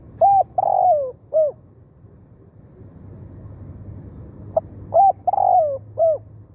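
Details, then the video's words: Spotted dove cooing as a decoy for wild birds; two three-part phrases of a short note, a drawn-out falling coo and a brief hooked note, separated by about three seconds of quiet. "เสียงนกเขาใหญ่ต่อ หมาน ๆ นกป่าเข้าไว"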